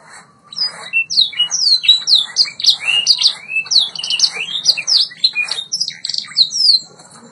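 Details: White Yorkshire canary singing on a training recording: rapid, varied song of sweeping whistled notes and trills, slurs falling and rising, delivered almost without pause, with faint low hum beneath.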